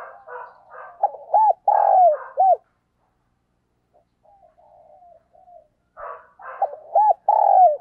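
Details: Caged decoy spotted dove cooing in the morning to call wild doves, short rough introductory notes followed by loud hooked coos and a long drawn note, a quiet pause, then the phrase repeated.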